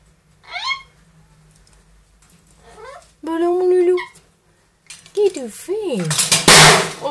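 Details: Two pet parrots indoors, a two-year-old grey parrot and a one-year-old Amazon parrot, talking and imitating sounds: rising and falling whistled slurs, a harmonic nasal phrase, then louder bent calls ending in a harsh burst.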